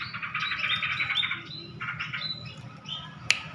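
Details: A tame munia (burung pipit) gives a run of thin, high squeaky twitters for over a second, then shorter chirpy bursts, with a faint low hum and one sharp click.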